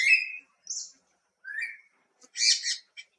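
A greater racket-tailed drongo sings a varied run of phrases: a clear whistle, a high buzzy note, a lower slurred whistle and a harsh chattering burst, spaced over three seconds.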